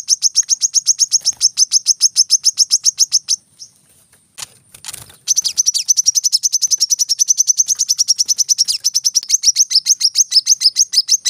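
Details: Long rapid series of high, sharp, regular chirps from a brown-throated sunbird, called kolibri kelapa, on a practice track for training cage birds; a short break with rustling noise interrupts before the fast song resumes.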